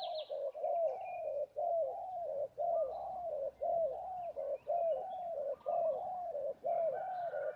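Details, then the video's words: A spotted dove (tekukur) kept as a fighting and decoy bird in Labuan gives low, mellow cooing notes about one per second, each slightly rising then falling, with faint chirps above. "Suara tekukur enak"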